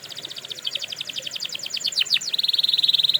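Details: Canary song made for training canaries: a long rapid rolling trill of repeated notes, broken by a couple of sharp downslurred notes, then a steady fast high trill to the end.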